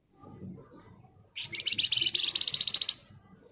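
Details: Wergan Jawa, or Javan fulvetta, in rapat nyerecet song: a high, rattling trill of quickly repeated buzzy notes that swells steadily for about one and a half seconds, then stops.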